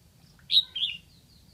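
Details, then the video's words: Lạng Sơn decoy red-whiskered bulbul singing to call in wild birds. A loud, high two-syllable whistle, a sharp first note then a sustained, slightly descending second. Faint thin chirps sound before and after it, over a low steady hum. "Mào mồi gáy kiểu này liệu có gọi được bổi không đây?"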